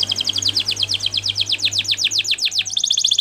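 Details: Canary singing a training song: a fast, rhythmic trill of high downswept notes, about eight per second, shifting to a quicker roll at the end. A steady low hum runs underneath.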